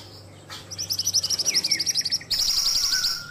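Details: Ashy tailorbird in a recording for cage-bird training, giving fast, high, chattering trills of pulsed notes, with softer lower whistles mixed in and a louder continuous burst of trilling in the second half.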